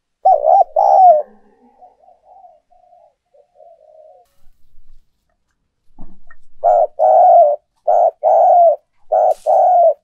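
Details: Decoy spotted dove cooing to encourage doves to coo: a loud rolling phrase, soft murmurs, a pause, then a run of five loud, low coos in quick succession.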